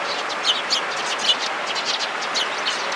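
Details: Sparrows gathering around on 16 February 2017 give alarm calls: quick, high, scratchy chirps in overlapping bursts over steady broadband background noise.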